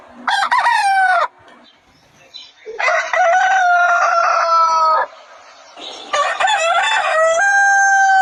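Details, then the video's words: Rooster crowing on a chicken farm: three loud harmonic crows, each about a second or more long, with a steady held pitch that drops at the end, separated by short quiet gaps. "The Rooster's Crow: The Sound of a New Beginning"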